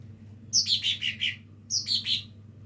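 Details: Lesser green leafbird learning to sing, giving two short phrases of sharp, high, descending chirps, four notes then three, separated by a brief pause; otherwise quiet.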